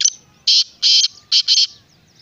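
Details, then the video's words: Black francolin (kala teetar) giving a loud, rasping call of five harsh, buzzy notes in uneven rhythm over about one and a half seconds, the last two closely paired; faint bird chirps behind. "Black Francolin kala Teetar"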